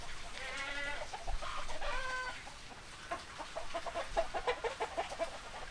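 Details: Hens clucking with harmonic cackling calls early on, followed by a run of short, quick clucks, over a low rumbling background.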